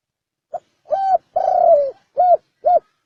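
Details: Spotted dove gives its thổ sấm đồng coo to attract males, females and wild birds: a quick pip, a hooting note, a long, throaty, descending coo and two final short hoots, spaced evenly.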